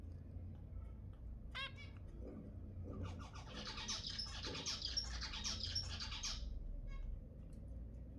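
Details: Zebra finch sounds intended to prompt mating: an isolated stacked call, then three seconds of busy, overlapping nasal chatter from several birds before it stops, over a steady low rumble like passing traffic.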